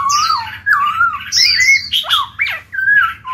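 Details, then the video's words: Caged Black-throated laughingthrush giving song to encourage other birds to start singing: a continuous stream of clear, warbling whistled notes that swoop up and down, with dense overtones and barely any pause. "Khiếu bạc má chuyền hót kích bổi mở mỏ ngay."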